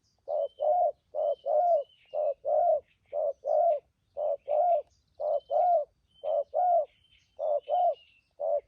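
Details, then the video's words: Trapping decoy spotted dove giving its urgent 'thúc gù' cooing; evenly paced hollow coo pairs, a clipped note then a fuller rising-falling one, repeated about once a second, with faint whistled chirps of other birds. "Bấy cu gáy bổi thổ tốt tiếng , hàng thúc gù"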